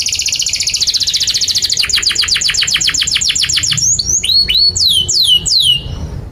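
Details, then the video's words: Canary delivering tutor song for young and stalled canaries: a rapid high trill of rattling notes gradually slows into separate downstrokes, ending with several loud, sharply descending whistled swoops. "Kenari GACOR PANJANG INI Cocok untuk Masteran KENARI PAUD dan Kenari Macet"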